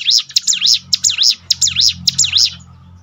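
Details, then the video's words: Bar-winged prinia song meant to toughen a bird's mentality: quick paired, looping high notes in short phrases over a low background hum. "bikin ciblek gunung Ngetop || down mental bangkitkan lagi"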